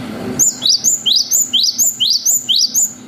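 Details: Cinereous tit, locally gelatik batu, delivering its long 'wucit' song as a lure to make young birds answer. A steady string of about twelve loud, clear upslurred whistled notes, each sharply rising.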